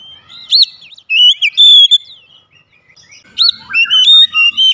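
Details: Oriental magpie-robin, kept as a therapy bird to open its beak and sing, giving loud whistled phrases with rising and falling notes, brief pauses between bursts, high sharp upslurs and steady clear tones.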